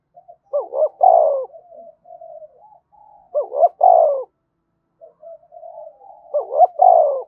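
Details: Spotted dove giving energetic thúc bổi cooing meant to lure wild doves. Three full phrases about every 2.7 seconds, each a rapid rising double note and a long falling coo, with soft murmuring notes between.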